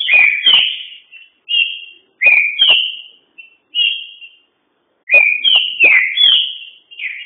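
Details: Caged green-winged saltator singing fast: repeated clear whistled phrases, each a quick snap then a rising and falling slurred note, with steady motifs and brief gaps between bursts; no other sounds.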